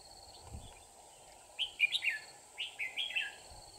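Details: Red-whiskered bulbul used as a decoy in a trap, 24 December 2018: two loud, rich warbled phrases of slurred whistled notes about a second apart, each dropping at the end, over a steady high insect hum and a soft thump.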